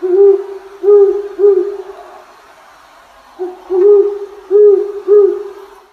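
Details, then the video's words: Great horned owl giving deep, soft hoots: three in a row, a brief pause, then four more at an even, unhurried pace. "Great Horned Owl Call Sound"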